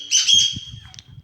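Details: A pet partridge (teetar) heard in the background, its throat somewhat hoarse after being given cold fridge water, calling all day on 26 March: a harsh, high, scratchy half-second note, then two quick short chips, with a low man's voice murmuring underneath.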